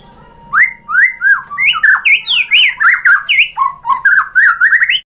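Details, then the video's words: Training song of a white-rumped shama, played to prompt other birds to answer: a rapid series of loud, rising and falling whistled slurs, nearly four notes a second, bright and varied. "PANCINGAN MURAI ¦ SHAMA BIRD"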